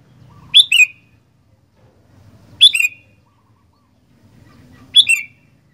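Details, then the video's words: Sooty-headed bulbul repeating the same rich, downward-slurred two-part whistle three times, roughly every two seconds, with light low-pitched background noise. "Burung Kutilang Gacor Doooor"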